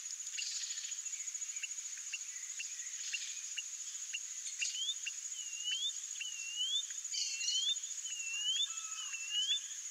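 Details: Song of a white-bellied seedeater: steady dry ticking pulses at first, then a run of swooping U-shaped whistles about twice per second through the second half, all under a continuous shrill insect drone.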